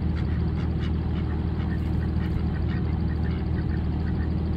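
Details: A flock of more than 1000 ducks quacks together in a dense, overlapping chorus over a steady low rumble.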